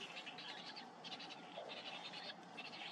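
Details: Young Cinnamon bittern being fed by its parent, giving harsh, rasping begging bursts in quick uneven clusters, loud and broad with no clear pitch.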